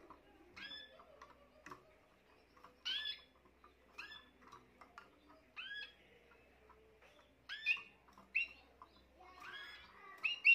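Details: This year's young Spanish Timbrado canary, 14 June 2023, delivering clipped chirps and short sweeping notes in separate bursts, growing brighter and busier in the closing seconds against a quiet background.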